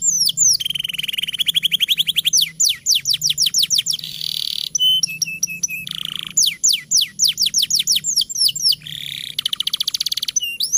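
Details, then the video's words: Master canary song meant to coax young or reluctant canaries into singing: continuous high-pitched rolling trills, repeated downward-sweeping whistles and brief buzzy rattles in quick succession with hardly a break. "Suara MASTERAN Kenari Gacor Panjang Sangat Efektif Untuk PANCINGAN Kenari Bahan Dan Malas Bunyi"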